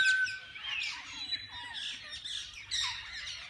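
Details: Parakeets of different kinds in a walk-in zoo aviary where people can feed them: a busy wash of twittering, with short whistled slides and chirps from many birds overlapping.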